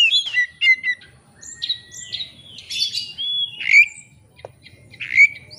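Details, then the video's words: White-rumped shama singing as a lure against a rival: drawn-out whistles, slurred rising notes and a few harsh squawky bursts spaced through the phrase, with low background rumble. "kacer ngeplay cari lawan. pancingan kacer agar bongkar isian.!!!"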